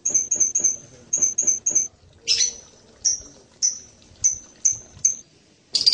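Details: Blue-crowned hanging parrot calls: fast groups of three thin, very high whistled ticks, then a harsh shriek, then single piercing tseet notes repeated roughly every half second.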